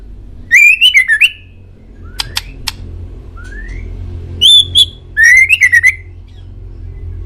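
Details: Male shama master song meant to prompt pet birds to respond: rich whistled phrases, thin clicks, two soft upward slides, then a high pure whistle and a rapid warbling flourish.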